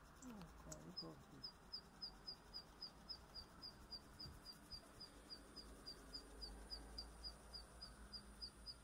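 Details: Zitting cisticola on Ishigaki Island, Okinawa, gives sharp, high 'zit' notes, each about every half second, in a long, steady series over a low background rumble.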